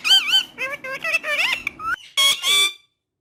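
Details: Talking parrot uttering several short, bending speech-like syllables followed by two harsh, buzzy squawks and then silence.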